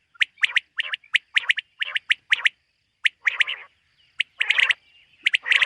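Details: Morning calls of a common quail from a summer meadow in 2023. Crisp, abrupt notes fall in spaced pairs and triplets, later broken by rougher, wheezy bursts, over a quiet background.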